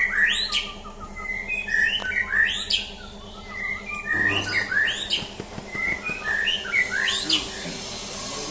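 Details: Champion white-rumped shama undergoing a mental test. It sings continuous clear whistled notes and quick slurred phrases in loose repeated bursts. A constant low hum sits beneath the song.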